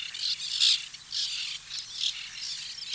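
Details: White-winged tern nesting colony in 2021, late in the nesting season: a dense chorus of overlapping harsh, scratchy calls from many birds, rising and falling in loudness without a break.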